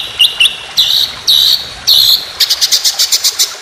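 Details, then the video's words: A white-rumped shama competition song in rapid 'tembakan' style opens with short whistled notes and drawn-out buzzy whistles, then ends in a quick even run of high sharp notes. "Masteran Burung Lomba Tembakan Panjang Roll Speed"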